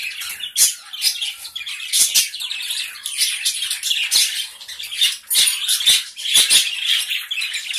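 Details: Gray Java sparrows in a small colony, a steady busy chatter of bright chirps and squeaky notes punctuated by crisp clicks, swelling and fading in short bursts.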